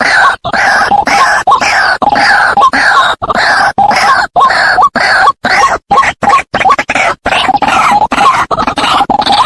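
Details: White-breasted waterhen call played as a lure to attract and hunt the birds. Loud, harsh, croaking notes repeat roughly twice a second with short silent breaks, strongly distorted and clipped.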